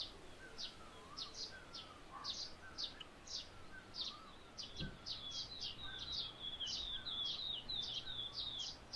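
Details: Slaty-headed parakeet feeding on sunflower seeds while perched on a sunflower in soft morning light, giving shrill, high chirping notes in quick, uneven bursts about twice a second, growing busier toward the end, over a low hum.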